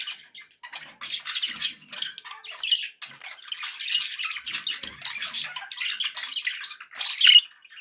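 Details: Happy pet budgerigars indoors give continuous fast warbling chatter of buzzy squeaks and clicks, short notes tumbling over one another with no clear pauses, ending in a sharper high chirp.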